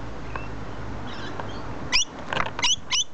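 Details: Rainbow lorikeets in a tree: after a quiet stretch of faint rumble, four sharp, grating screeches arrive close together near the end.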